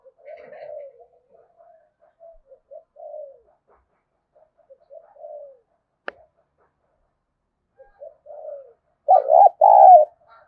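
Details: Spotted dove calling as a lure to attract doves. Soft, falling coos are spaced out over several seconds, with one sharp click in the middle. A loud, rough two-part coo closes the clip.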